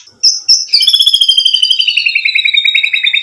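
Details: Murai batu (white-rumped shama) singing as a lure: two short high notes, then a long, fast, buzzing trill that slowly drops in pitch.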